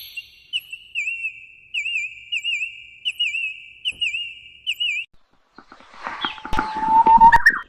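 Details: Birds singing in the morning: a steady series of rolling, wavering whistles for about five seconds, then a short silence followed by a noisy, rising whistled sound with clatter.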